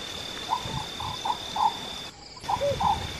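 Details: Oriental scops owl, found in the Himalayas and northeast, western and southern India, giving short low croaking notes in a quick broken series, with a steady high insect-like whine behind and a brief dropout midway.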